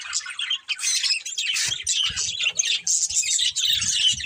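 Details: A budgie family chirps and squawks, high rasping warbles running together almost without break, with a few soft low knocks beneath.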